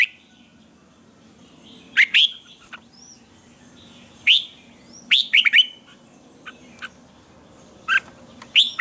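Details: Red-whiskered bulbul morning song recorded as a training lure. Scattered sharp chirps and short twisting whistled notes appear in loose groups, separated by quiet stretches of several seconds.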